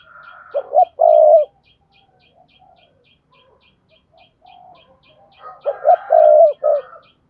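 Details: Spotted dove stimulating call for doves that will not coo: two strong phrases of short notes and a long hoarse coo, with a steady series of small high chirps ticking throughout.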